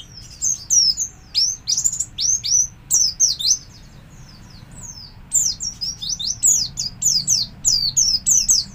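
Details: Javan white-eye (Zosterops flavus) song: a rapid run of very high, sweet, slurred chirps in quick bursts, pausing briefly midway before resuming, over faint low background hum.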